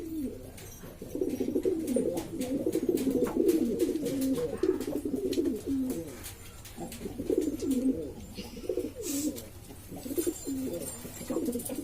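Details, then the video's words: Noisy flock of Lombok domestic pigeons, several varieties prized by hobbyists in East Lombok, Indonesia: dense rapid bubbling coos in long overlapping runs, some clicking and faint voices. "burung merpati ini ribut sendiri"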